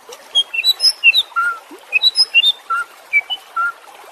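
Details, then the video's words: White-rumped shama training audio for caged birds that have stopped singing: sparse, short, pure whistled notes at varied pitches, spaced irregularly with small gaps between them over a quiet hiss. "Masteran murai batu anti zonk cocok untuk murai batu yang macet bunyi"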